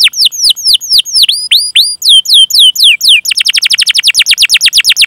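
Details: Canary song used as a training recording to stimulate other canaries to sing: loud, high sweeping whistled notes repeated in quick series, shifting after three seconds to a fast even roll of rapid rising chirps.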